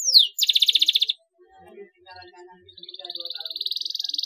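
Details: Canary chirps meant to get silent canaries singing: a quick descending whistle, a pulsed buzzy trill, a pause with faint low sounds, then a rising rolled trill.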